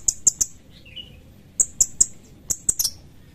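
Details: Sooty-headed bulbul giving three quick high 'cret' chips, a soft lower warble, a short pause, then two more bursts of sharp paired and tripled notes.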